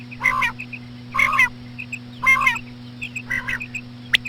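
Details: Slow female common quail calling, used to lure quail: four harsh, raspy, buzzy bursts about a second apart, each with a bright higher note, followed by softer chirps and a final sharp click over a constant low hum.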